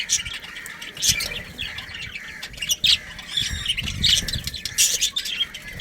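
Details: Budgerigars in a breeding colony, a pair and family of Australian parrots, with dense overlapping harsh squawks and chirps, loud bursts near one, three, four and five seconds, over steady low background noise.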